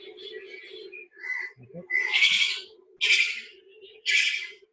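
A spotted owlet gives harsh, screechy churrs, three loud bursts about a second apart, over a steady low hum and faint chatter.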